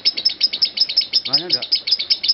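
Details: A lovebird's shrill, unbroken chatter of high chirps, about five each second, runs as a long continuous trilling bout offered as a training sound to lengthen other lovebirds' trilling. A man's voice cuts in briefly.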